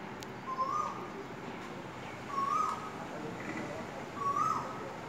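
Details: Asian koel singing: three clear whistled notes, each sliding upward, evenly repeated about every two seconds over a steady background hiss.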